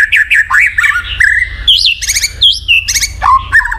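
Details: White-rumped shama (murai batu) song meant to stir a silent bird into singing: varied whistled phrases, rising and falling slurs, with bursts of harsh rattling notes in the middle.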